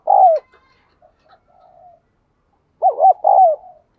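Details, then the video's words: Spotted dove coo, used to get caged doves cooing: a strong, hoarse coo note to start, soft faint murmurs in between, then a loud three-part coo phrase with wavering and falling notes. "Chim Bổi Nhà bạn Không Chịu Gáy Vì bạn chưa Mở Tiếng cu gáy này"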